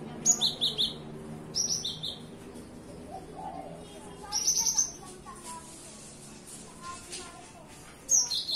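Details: Morning song of a cinereous tit, with quick high two-part whistled phrases repeated in four bursts, separated by pauses, above a steady low hum.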